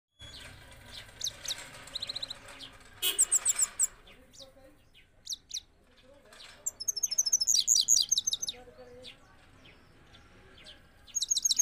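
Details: Trained Himalayan goldfinch of the Parachinar type, recorded in Kabul, Afghanistan in 2022, sings a song with a rolling style. Scattered high twittering notes and short buzzy bursts are broken by pauses, and a fast ringing trill runs near the middle. Faint low background noise.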